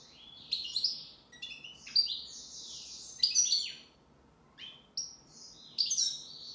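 A European goldfinch sings a fast, tinkling jumble of high twitters, buzzy trills and liquid notes, delivered in bursts with short pauses.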